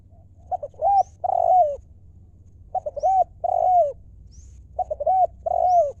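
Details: A spotted dove repeats its 'lio'-style phrase three times, about every two seconds: clipped introductory notes, then two long, hollow, arching coos. Faint, rising high chirps from another bird are heard between phrases.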